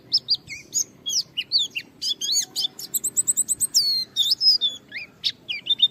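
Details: Japanese white-eye (pleci) singing gacor to challenge a rival and draw other white-eyes into song: dense, fast, high-pitched warbling of slurred chirps, swoops and quick trills with barely a pause.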